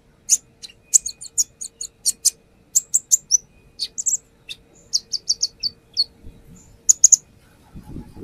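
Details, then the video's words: Brown-throated sunbird song used as a lure: very high, thin, sharp chips and short trills in rapid clusters, some notes doubled, with pauses between bursts, a faint steady tone beneath and a brief rustle at the end. "AKSI KONIN NAGEN BONGKAR ISIAN | Pancingan konin"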